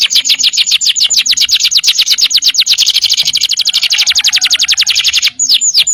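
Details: Gacor canary delivering a long nembak panjang trill: a steady, very fast run of repeated high chirps lasting over five seconds, ending in a few separate sharp notes, with faint low thumps beneath.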